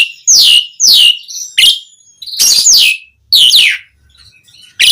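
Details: Asian pied starling, its song used to make other starlings answer: loud, steeply falling, somewhat harsh whistles given at irregular intervals, with a few raspy, noisy bursts and quiet gaps.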